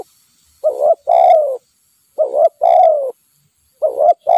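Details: Spotted dove, a wild bird noted for frequent nodding, caught with a decoy, repeating hoarse cooing phrases: a brief doubled note and a longer downward-sliding croo, roughly every 1.6 seconds.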